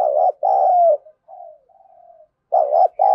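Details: Decoy spotted dove of thorough thổ sấm voice, harshly calling to rile wild doves: a loud hoarse double coo, then soft low trailing notes, and the loud double coo begins again.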